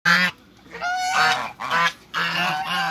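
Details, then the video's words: A pair of African geese kept in a backyard with other waterbirds, giving loud harsh honks in quick bursts, each a nasal blaring call with strong harmonics, separated by short pauses. "COUPLE AFRICAN GEESE AFTER THE CREATE WATERBIRDS IN THE BACKYARD"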